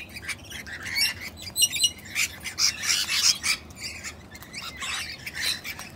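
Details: Wild female sulphur-crested cockatoo, jealous of a person giving attention to her mate, gives a run of harsh, raspy screeches and squawks in irregular bursts with softer chatter between.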